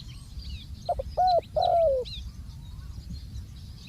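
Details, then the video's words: Ground decoy spotted dove giving one phrase: two quick clipped notes, then a short hollow coo and a loud, longer coo sliding downward, with faint distant birdsong around it. "ต่อนกเขาใหญ่ EP58 นกเขาใหญ่ต่อดิน"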